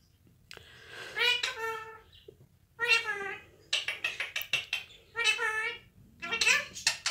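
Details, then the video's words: Pet Indian ringneck parakeet indoors, talking up a storm: several bursts of human-like vocal sounds with rich, wavering tones, mixed with short clicks and chatter, separated by brief pauses, over a low background hum. "Cricket (Indian ringneck) talking up a storm"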